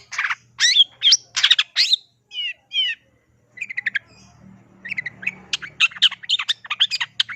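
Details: Energetic long-tailed shrike song, gacor with mimicked phrases: harsh, squawky bursts and fast chirped notes, a brief silence, then rapid, varied twittering resumes over a faint low hum.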